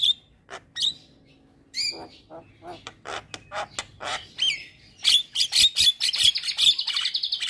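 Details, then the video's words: Javan myna in unbroken song: scattered harsh clicks and squawks building into a rapid, rhythmic run of bright, buzzy repeated notes near the end. "Masteran Juara Burung Jalak Kebo Gacor Tak Henti Henti Ngoceh Seharian"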